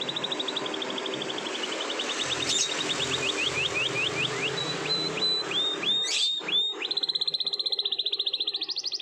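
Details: Canary in morning song with a long roll: a series of short falling whistled notes repeated about three times a second over a steady background rumble and hiss, then a fast, bright, even trill to the end.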